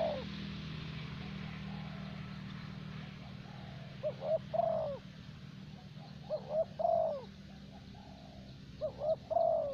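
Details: A spotted dove kept as a luring decoy in Vietnam, 'thổ bầu' voice, gives three evenly spaced phrases of two brief coos and one long note, over a continuous low hum.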